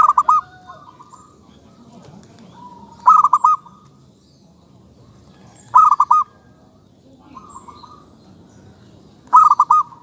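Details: Local zebra dove singing: a bubbly phrase of rapid low cooing notes repeats roughly every three seconds, four times. Softer single coos fall between phrases.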